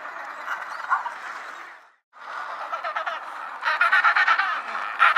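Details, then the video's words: Penguins give harsh, braying calls that overlap in a noisy chorus, ending in a run of quick pulsed bursts after a brief silence. "Penguin Sounds | Penguin Calling"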